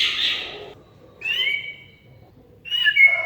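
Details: Oriental magpie-robin (kacer) recording used as a lure to make a silent bird sing: a harsh buzzy burst, then two drawn-out whistled notes separated by short pauses, over quiet background.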